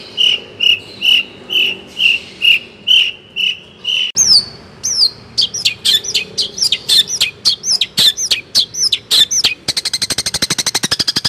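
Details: Long-tailed shrike from Indonesia singing as a tutor for young songbirds: steady repeated whistled notes about twice a second, then sharp downslurred chirps, ending in a fast rattling trill.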